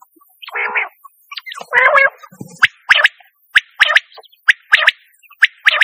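A quail gives two harsh, gargling bursts, then a run of short, sharp, ringing calls. They come roughly once a second in an uneven rhythm.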